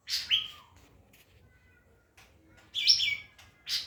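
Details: White-rumped shama used to train other birds, giving a rich slurred phrase with a falling whistle, a quiet pause, then a loud warbled flourish, against a faint hum.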